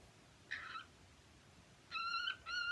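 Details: Happy pet cockatiels singing: three short, harsh harmonic calls, one near the start and a pair close together at the end, separated by a quiet gap with faint background hiss.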